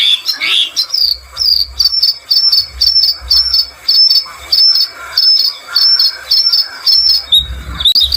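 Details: Bluethroat song: after an opening scratchy flourish, a long run of sharp, high metallic ticking notes repeated about twice a second, ending in brief rough noise.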